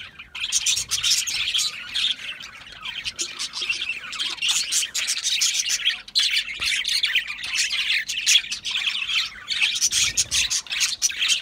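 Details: Budgerigars keep up a loud, rolling chatter of harsh squawks and twittering warbles, with only brief dips in the din.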